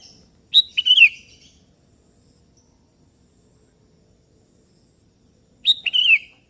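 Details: Kebo-type sooty-headed bulbul singing to call a rival that answers back; two rich, liquid warbled phrases about five seconds apart, each a bright note sliding into a falling gurgle, with silence between.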